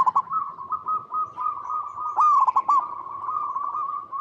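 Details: Local zebra dove song played to get other zebra doves singing: a continuous rolling trill of soft coos, interrupted midway by a louder burst of stuttering notes.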